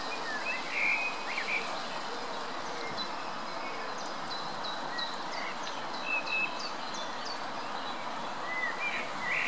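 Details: Greylag goose (Anser anser) goslings feeding at the Munich Botanical Garden give thin, high peeps and short upslurred whistles, scattered irregularly over a soft, steady outdoor hiss.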